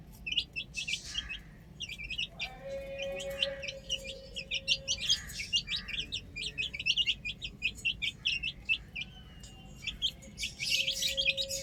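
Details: A flock of chicks on a roof chirps almost nonstop in dense, high, piping peeps, with brief lulls and a faint level hum in the background.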